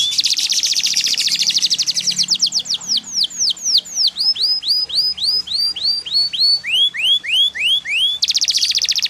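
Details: Yellow canary in full song: a long buzzing rapid trill, then rising whistled sweeps that quicken into many short upslurs, and a return to the fast buzzy trill at the end.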